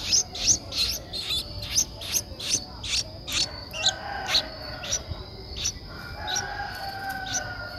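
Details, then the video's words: Streak-eared bulbul nestling, 11 days old, recorded in Ubon Ratchathani, Thailand, on 13 April 2023; short high buzzy notes repeated roughly every half second, fading toward the end, over a steady insect hum. "นกปรอดสวน อายุ 11 วัน : Streak-eared Bulbul"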